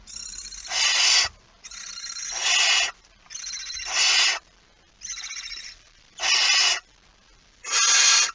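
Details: Barn owl at a nest holding prey, September 2019: six harsh, breathy screeches, several starting softer and swelling louder, spaced about every one and a half seconds, with faint background rumble.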